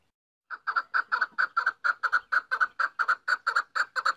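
A female chukar gives a steady series of clucking, throaty chuk notes, about two a second, some paired, with no other sounds.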